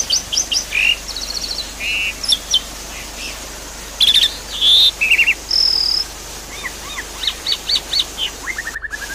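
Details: Javan pied starling singing, a lure track for a caged bird that has gone quiet: scattered chirp clusters, short buzzy blocks, a steady high whistle and a descending series of rapid notes at the end.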